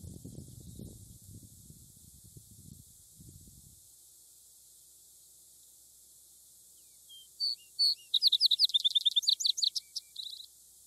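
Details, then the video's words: A wild vesper sparrow sings outdoors after a few seconds of low rumbling. Its song opens with a couple of clear whistled notes, then breaks into a fast, bright series of repeated trilled notes lasting about three seconds. "a singing vesper sparrow"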